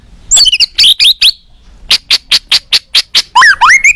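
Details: An excited white-rumped shama, used as a lure to draw replies from other shamas, gives quick high slurred notes, then a string of about ten sharp, evenly spaced chips, ending in rising and falling whistled sweeps.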